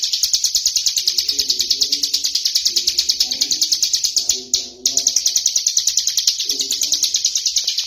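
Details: Ciblek gunung prinia, tame and out of its cage, in a long ngebren burst: a nonstop buzzy train of high chirps about three a second, with a brief dip and intermittent low cooing from doves nearby.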